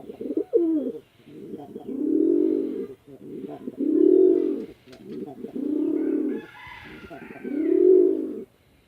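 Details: Farmed male and female pigeons fighting at a house in a Chittagong District village, Bangladesh, give deep rolling coos, five swelling phrases of about a second each separated by short pauses.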